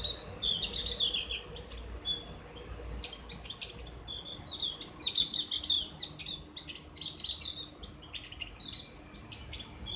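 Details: Javan grey-throated white-eye (cak gentong) with ngriwik song, ngeplong and clear, for therapy. Repeated bursts of high twittering whistles mixed with sharp ticks recur every second or two.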